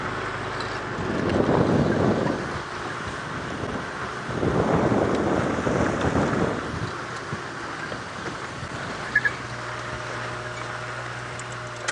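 Broad rumbling bursts of wind and vehicle noise, with a steady low engine hum and no clear animal voice.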